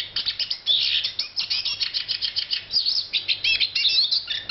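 Eurasian siskin singing a fast, high twittering run of chirps and wheezy trills, notes tumbling several to the second without pause. No other sounds stand out.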